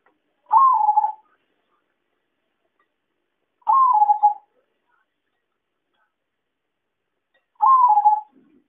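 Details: Zebra dove calls used as a trapping lure, with three evenly spaced phrases roughly every three and a half seconds. Each opens with a sharp rising note and trails into a fluttering, slightly falling coo.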